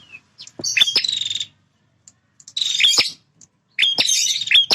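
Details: Very vocal male bar-winged prinia, territorial. Three loud buzzy, crackling phrases with clicking notes are separated by short silences.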